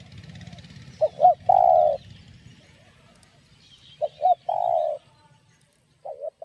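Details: Spotted dove in the "giọng đồng" (field voice) style, the "gáy thúc gù" song used to stimulate and lure other doves: two mellow cooing phrases, each a couple of short low notes ending in a long drawn coo, about three seconds apart.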